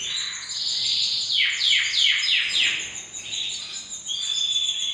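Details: Canary song, a continuous high trilled warble with a run of rapid descending sweeps in the middle and steady whistled tones at the end.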